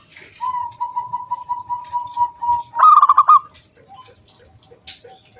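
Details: Zebra dove lure song meant to get other doves singing: a long run of evenly pulsed, level hooting notes for nearly three seconds, then one short bright trill, followed by faint soft notes.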